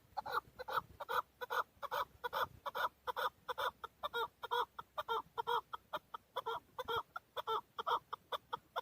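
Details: In Darvoz, Tajikistan, during 2020, an excited male chukar partridge (keklik) calls loudly, with a long run of evenly spaced, harmonic-rich chuk-chuk notes repeated roughly every half second.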